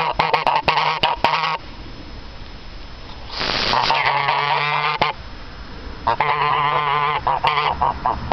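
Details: Two geese call in loud nasal honks: a quick run of short notes, a quiet gap, then long buzzy harsh honks, another pause, and a final stretch of rapid repeated honking.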